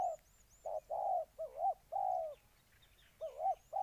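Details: Spotted dove from Ninh Thuận uttering a few mellow coos, one wavering and broken, then a pause before more notes, as thin high whistled chirps come from another bird.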